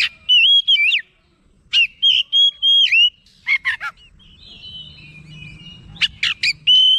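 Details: Agitated oriental magpie-robin responding with rich whistled song: level and swooping whistles, sharp rapid clicky notes near four seconds, a soft low hum in the background, then more sharp notes and a closing clear whistle.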